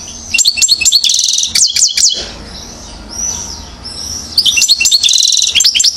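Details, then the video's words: European goldfinch, a one-year-old 'acrobate' singer from Mouzaia, Algeria, 2012: bursts of rapid high twittering, buzzy trills and sharp rising and falling notes, a pause with a soft whistle, then another dense twittering phrase. "chardonneret acrobate 1 an.."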